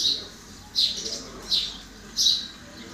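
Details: Common myna giving short, sharp high chirps, four notes spaced roughly every half to three-quarters of a second against a quiet background.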